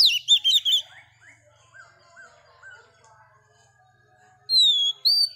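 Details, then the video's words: Female Oriental magpie-robin, a newly caught wild bird, singing to rouse males: bursts of quick, bright whistled warbles open and close the passage, with a long pure whistle near the end and softer, fainter notes in between. "Choè than mái bổi lên giọng hót kích trống"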